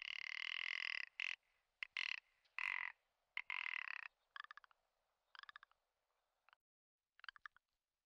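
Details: Commander Islands rock ptarmigan, subspecies ridgwayi, in the Komandorsky Nature Reserve during the spring lek, giving long harsh grating bursts, then shorter dry clicking rattles repeated at intervals.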